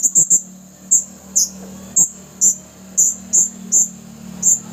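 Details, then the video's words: Caged male red-throated blue-crowned hanging parrot calling wild companions at a bird-trapping spot, 27 August 2021; piercing high single and triple chirps spaced about half a second apart, with a steady low hum beneath. "Burung Seridit Memanggil Teman liar"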